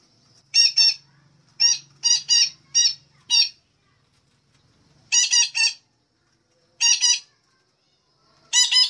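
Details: Red-breasted parakeet lure call used for bird trapping: loud harsh squawks with stacked harmonics, given in bursts of two to four notes separated by short pauses, with a faint low hum early on.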